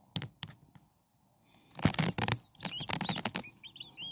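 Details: Six hungry common starling nestlings only a few days old, in a nest: after handling rustles and thumps, thin high arched squeaks come in quick overlapping bursts, mixed with scratchy movement noise.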